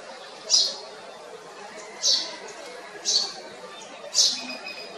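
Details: Single short, high cheeps from a house sparrow, four in five seconds at uneven intervals, recorded in Kotte in Sri Lanka's Colombo District, Western Province, with faint background noise.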